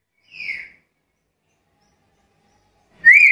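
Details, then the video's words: Black-capped lory, a vocal bird, gives a short, slurred whistle falling in pitch, then after a pause a louder, harsher rising note cuts in. "Suara burung nuri kepala hitam gacor"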